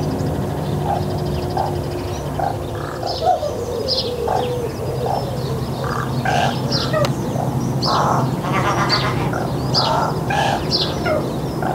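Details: A rook visiting a garden gives a run of harsh, raucous caws and softer croaking notes, some overlapping, over a steady low hum.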